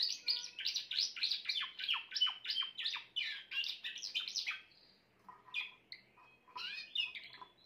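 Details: Grey Timbrado canary song: rapid rolling chirped notes for about four seconds, then a short pause and softer, scattered whistled and trilled phrases.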